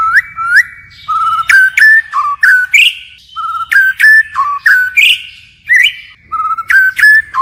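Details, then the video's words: White-rumped shama singing a forest-style song with continually changing phrases: clear whistled notes mostly between low and mid pitch, many short upswept and hooked whistles in quick series, a few sharp high clicks between. "Chích chòe lửa hót giọng rừng hay đảo giọng liên tục"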